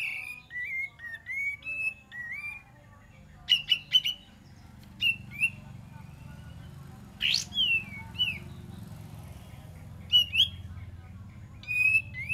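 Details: Olive-winged bulbul song used as a lure: short clear whistled phrases, some rising then falling, given in scattered bursts with pauses, over a steady low hum.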